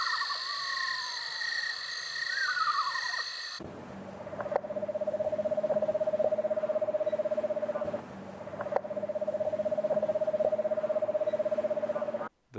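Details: Eastern screech owl, a small nocturnal owl of eastern North America: a descending whinny, then two long, even, mid-pitched trills of about four seconds each. Background music plays at the start.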